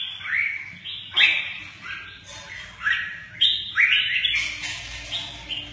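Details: Red-whiskered bulbul performing its "mơ ché nẹt" song with showy wing movements; rich, slurred whistles rising steeply and then flattening, delivered in several loud phrases with a slightly noisy background.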